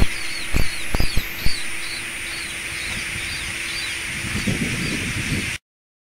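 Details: Black tern chick practising flight from its breeding raft in the Netherlands, giving faint, short, sharp downslurred calls at irregular intervals over low wind rumble, a steady hum and a few knocks at the start.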